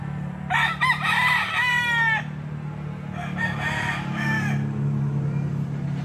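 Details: Rooster at a friend's place crowing: a loud, harsh, drawn-out crow followed after a short pause by a second, fainter crow, over a steady low hum.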